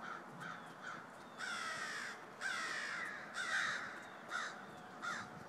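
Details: Just before snow started falling on December 13, a murder of crows gives loud, drawn-out hoarse caws in bursts, several long and ragged, with short softer calls between them.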